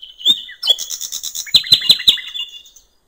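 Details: Common nightingale singing wild by a river: a bright whistled note, a rich warbled phrase, then four hard, evenly spaced clicking notes fading into silence.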